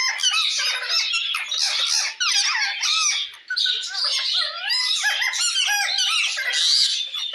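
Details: Parrot calling to another parrot, a busy, scratchy stream of squawks and slurred whistled notes, roughly ninety irregular bursts a minute, loud and high-pitched with few pauses.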